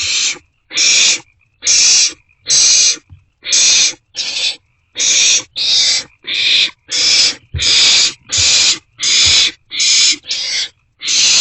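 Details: Night-time begging from barn owlets in a nest box on 27 March 2024 as they share a meal. A rapid run of about seventeen rasping hisses, some nearly back to back, loud and sustained.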